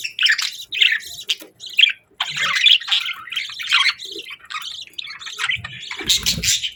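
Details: Morning budgerigar song of quick, clear chirps and chattering warbles in short phrases separated by brief pauses, ending in a rough, noisy burst.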